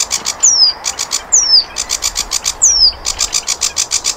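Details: Sikatan londo flycatcher song for tutoring caged songbirds: three high, sweeping down-slurred whistles among quick runs of hard, ticking clicks repeated steadily.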